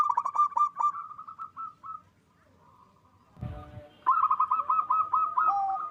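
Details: Local zebra dove with a loud voice, singing to raise breeding drive: a rapid stuttered series of coos fading out, a brief thump of handling noise, then a strong new run of rolling notes.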